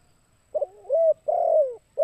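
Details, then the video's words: Spotted dove giving the kuk 2 style call used as a lure: a short stuttering double note, then two long, mellow coos, the second broad and sliding downward, with a fresh coo starting at the end. The background is quiet. "Suara TEKUKUR KUK 2"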